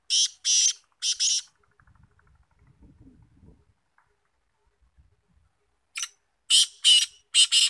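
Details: Black francolin, locally called kala teetar, recorded in 2021 giving loud harsh rasping bursts in quick groups of two, a pause with faint low rumbling, then another run of four grating notes.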